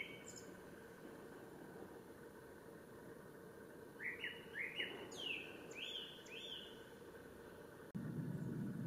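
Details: At Ōbora spring, Lake Yamanaka, Japan, on 3 May 2017, a male Japanese thrush sings a quick string of fluty, slurred whistles, some swooping upward into sharp high flourishes, amid constant low background noise and a sudden thump near the end.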